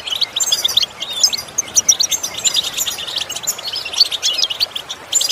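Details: Goldfinch song meant to improve a goldfinch's singing through imitation; steady, fast, bright twittering with clicky chirps and thin whistles, repeated in short phrases throughout.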